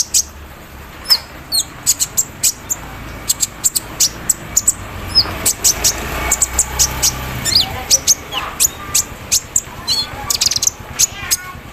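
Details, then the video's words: Javan sunbird set out in morning dew, giving an embroidery-machine-style song filler: sharp, high, clicking chips spaced irregularly, some thin falling whistles, over a soft noisy background. "KOLIBRI NINJA GACOR KELUAR ISIAN MESIN BORDIR"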